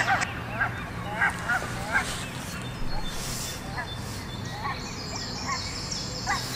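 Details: Barnacle Goose (Branta leucopsis) family with 6 goslings in Heemskerk, Netherlands: short, yapping calls repeated every half second or so over a steady low rumble, with faint higher peeping and chatter above.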